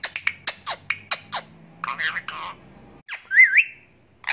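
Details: Indian ringneck parakeet, a parrot that says 'Assalamu alaikum', gives a string of clicking taps and husky speech-like syllables, a brief silence, then a single swooping whistle and a final squeak.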